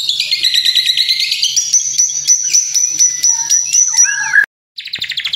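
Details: White-rumped shama, kretekan-style training song to stir up birds: a long, fast, high-pitched rattling series of clicking notes, then a brief sweeping whistle, a short silence and a renewed quick rattle.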